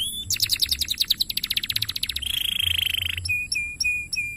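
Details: Canary master song for training: fast pulsed trills stepping lower, a long buzzy rattle, then sharp clipped notes with short flat whistles.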